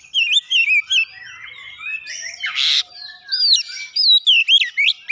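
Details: Oriental magpie-robin singing a song filled with mimicry of the gelatik batu (cinereous tit): high looping whistled notes, repeated twisting phrases, and a harsh rasping burst midway.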